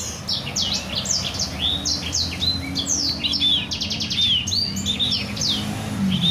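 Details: Black-throated canary song used as a master for canaries to learn: swift high slurred notes, short buzzy rattles and clear upswept whistles in steady flow, with low background hum.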